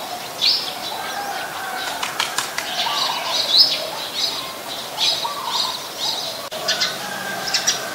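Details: Eurasian tree sparrow, very common resident, Ubon Ratchathani, Thailand, 10 May 2020: irregular high chirps and squeaky notes, mixed with brief clicking and wing-flutter sounds and a soft lower call in the background.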